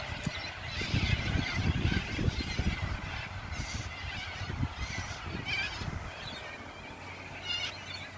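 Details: Sulphur-crested cockatoos at Mildura, Victoria, Australia, give harsh, raspy screeches in uneven bursts over a heavy low rumble of wind or handling noise.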